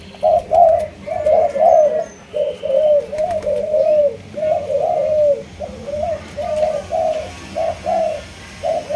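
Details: Malaysian-line spotted dove giving a long run of soft, low coos in close, uneven groups, phrases overlapping and slurring together, with faint high twitters in the background.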